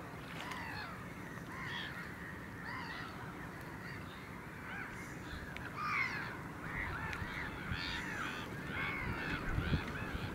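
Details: Caspian gull, one individual recorded on 9 March 2016, giving a series of harsh, arched, nasal calls, about one a second and quickening toward the end, over a steady low rumble of background noise.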